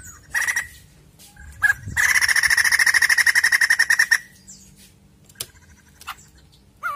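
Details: White-crested laughingthrush song played to stimulate a caged bird into singing: a brief note, then a two-second burst of fast, loud repeated notes, followed by scattered clicks and faint sounds.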